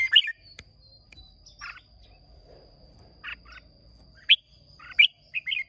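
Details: Competing caged red-whiskered bulbul of Hòa Bình origin, Vietnam, May 2023, gives scattered short chirps and a few brief warbled phrases, loudest near the end, over faint low background rumble and a steady high hum.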